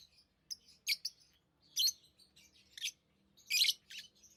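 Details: Lovebirds, tame pet birds, let out short, sharp, high chirps at spaced intervals, roughly every second, with quiet twittering in the gaps.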